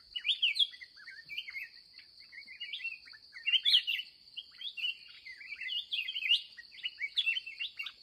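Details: Red-whiskered bulbul in the wild, agitated during an end-of-day trapping session, pouring out dense, bubbling warbles of quick slurred notes almost without break, an unbroken high insect tone behind.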